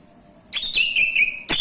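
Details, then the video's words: A caged male orange-headed thrush used to provoke other thrushes to sing gives a quick burst of bright, clipped notes with brief whistled glides after half a second of quiet, and a constant high hum behind. "Hanya hitungan DETIK !!! ANIS MACET langsung bunyi Anis merah jantan"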